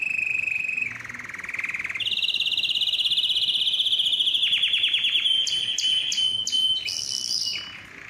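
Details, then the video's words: Canary song played to encourage males to sing, rolling trills that step from a lower tone up to a higher buzzy roll, then a rattle and sharp repeated clicks near the end, clean and loud. "مجموعة صوت الكناري لتحفيز الذكر على التغريد"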